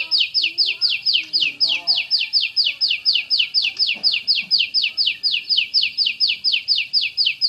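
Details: Rapid-fire 'tembakan' song of a champion Oriental magpie-robin (kacer): a long, tight series of bright, falling whistled notes delivered in quick regular succession, with faint low noises behind.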